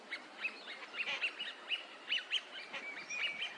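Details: Eurasian teal wintering at a park pond in Junsai-ike green area, Chiba, Japan, filmed February 2025; short, clear, high whistled notes repeated in quick irregular succession, several birds overlapping in a piping chorus.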